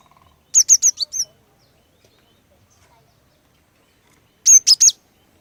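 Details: Singing female cinereous tit meant to lure males: a fast run of five bright high notes, a long pause, then three more sharp notes, on an otherwise quiet background.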